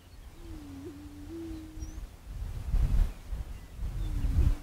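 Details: Low, resonant moaning of a prairie chicken, a sustained hollow note with a short kink in the middle. A second moan begins just before the end, and rumbling wind-like noise swells between them.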